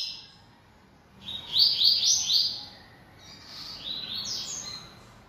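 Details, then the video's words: Singing caged yellow-bellied seedeater, bold and vocal: a loud burst of rapid, chirpy trilled notes followed by a softer, lilting continuation of high whistles and ripples. "Coleiro Baiano Atrevido Cantando Muito"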